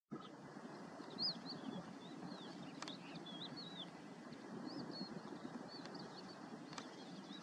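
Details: Yellow wagtail of the subspecies superciliaris: a scatter of short, thin, sweeping whistled notes, some rising and some falling, from several birds at once, with a few faint clicks over soft low background noise.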